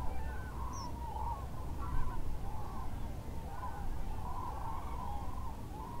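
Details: Common Cranes at a French migration stopover, Lac du Der-Chantecoq, flying off from the lake before daybreak to feed nearby. Rising and falling bugled notes from a large flock rise and fall continuously above a low hum.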